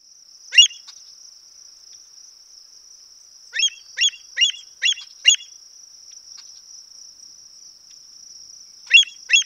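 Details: Sharp, ringing kleet calls of an American (western) avocet: a single note, then a quick run of five, then two more, over a steady high insect drone.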